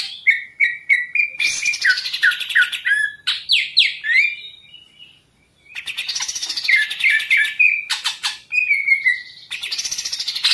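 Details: Caged green leafbird (cucak ijo) song: a rapid series of repeated whistled notes, then rich warbled runs with falling slurs and sharp chips, broken by a short silence.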